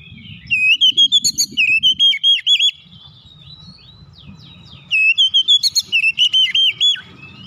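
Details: Oriental magpie-robin, ngeroll rapat rolling basic song: two bursts of fast, loud, tightly packed whistles, each about two seconds long, with a soft low rumble beneath throughout.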